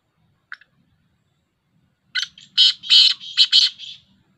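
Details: A single faint click-like note, then a loud grating call from a black francolin, recorded 19 August 2021, made of a short note, two long buzzy syllables and a rapid closing pair. The background is otherwise quiet.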